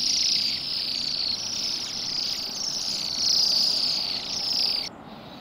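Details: Waxwings, Bohemian, feeding in a rowan by a road in Pushkin, Saint Petersburg, Russia, on a grey December day; many high silvery trills run together continuously, then stop abruptly near the end, leaving faint quiet.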